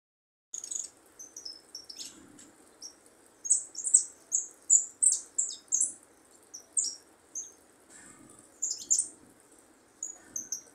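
A young goldfinch practises thin, very high twittering notes in quick, uneven bursts of short downslurred phrases, over a faint low background hum.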